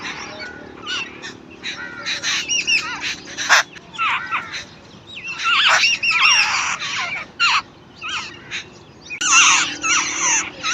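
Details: Chicks being fed by their mother give dense bursts of high, thin chirps and short downslurred squeaks, several callers overlapping in excited waves that swell and fade every second or two.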